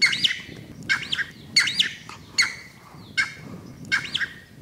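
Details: Cheer pheasant at Manela, Uttarakhand, giving harsh, squawking notes with a rough, ringing edge, repeated about every three-quarters of a second; faint background hiss.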